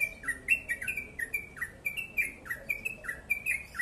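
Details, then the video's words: Yellow-vented bulbul in full, rapid ropel song, short liquid notes rising and dipping in a steady, tight chatter with almost no pauses. "Crucukan ropel panjang gacor sped rapat"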